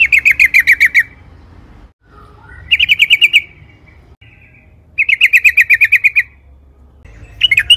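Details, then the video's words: Yellow-vented bulbul song used as a lure: three bursts of very fast, buzzy chattering trills, each lasting about a second, separated by pauses with faint softer notes. "Trucukan gacor ropel panjang AMPUH,, pancingan TRUCUKAN AGAR BUNYI"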